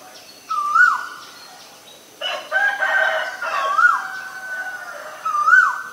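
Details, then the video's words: Male Asian koel uttering three rising whistled calls spaced across several seconds. Louder, rougher calls from another bird overlap the middle, resembling a rooster crowing. "นกกาเหว่าตัวผู้ (Asian koel, Male)"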